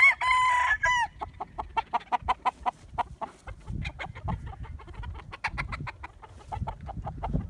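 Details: Morning flock of chickens and roosters: a short harmonic crow opens, then a long, steady series of short clucks, about three a second, continues over soft background rustling.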